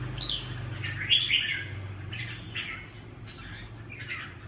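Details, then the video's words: Red-whiskered bulbul in Huế xoè song style, delivering separate chirpy, warbling phrases spaced about a second apart, the strongest early on, against a low steady hum. "Huế xoè -Kênh về chim Chào mào"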